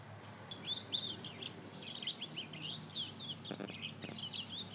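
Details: Young Mozambique canary × canary hybrid, two months old, practising song: a soft, wandering warble of chirps and slurred whistles, broken by a couple of sharp clicks.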